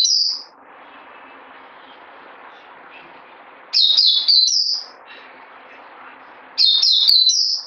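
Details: White-eye kept in a cage sings short, high, chattering twitters in three separate bursts, each about a second long, with quiet hum between them.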